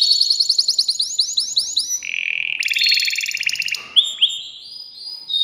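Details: Agitated caged male canary singing to rouse the female for mating, with rapid repeated upswept whistles, a steady mid-pitched rattling trill, a higher rolling burst, then a few clear rising notes.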